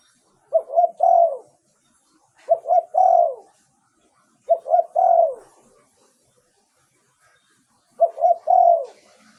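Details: Decoy song of a spotted dove, clear-voiced and used for luring wild birds. Four mellow cooing phrases come about every two seconds. Each phrase has two clipped notes, then a drawn-out coo that drops in pitch.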